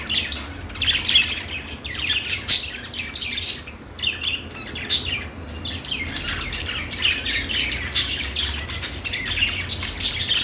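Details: Budgerigars warbling: continuous, varied chatter of squeaks, clicks and rising chirps in rapid bursts, loud peaks every second or two, with a faint low hum.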